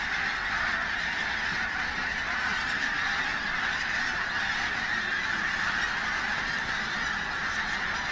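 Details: Crowds of pink-footed geese at Martin Mere, Lancashire, 8 October 2012, a bright day with birds constantly on the move; thick, even roar of honking voices throughout.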